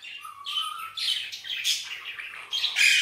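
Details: Green Indian ringneck parakeet talking and whistling, with Urdu/Hindi words: a thin, slightly rising whistle opens, followed by harsh, raspy squawking syllables in quick bursts, the last loudest and shrillest.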